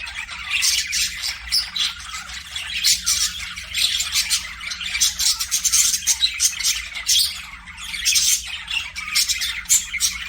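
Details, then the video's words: Budgerigars in an aviary chirping: dense overlapping high chatter and scratchy squawks, near-constant with brief rising and falling bursts, several birds calling at once, a faint low hum beneath. "PARAKEET NOISES"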